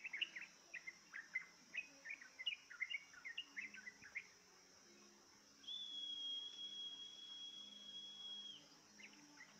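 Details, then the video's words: Yellow-vented bulbul coaxed to sing with a lure: quick bubbly whistled notes fill the first half, then give way to a long, level, pure high whistle lasting about three seconds, with insect drone throughout. "Dengan pancingan ini, dijamin trucukmu gak takut tapi malah ikut bunyi"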